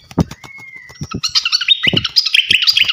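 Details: Fantail flycatcher, a champion bird, in loud training song: a long steady whistle, then a busy jumble of high chirps and quick slurred notes, with dull thumps in the background.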